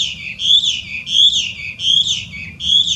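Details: Wild Chinese hwamei, invasive alien in Japan, repeating one rich whistled phrase roughly every 0.7 seconds, each a loud wavering slur that dips at its end, with faint low background noise.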